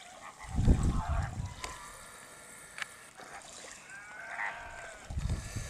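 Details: Greater flamingo giving scattered nasal, goose-like honks with layered harmonics, a few short calls spread through the stretch over a low rumbling background of wind or water.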